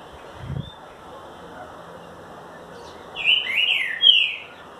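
A Green-winged Saltator gives one loud, rich whistled phrase of slurred notes near the end. A steady high background hum runs throughout, with a soft thump early on.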